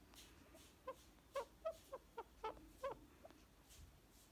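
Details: Indian ringneck parakeet, a pet talking parrot being cuddled and petted indoors, sometimes biting playfully; a quick series of short, soft clucking notes, about seven in under three seconds, with faint handling clicks and room noise.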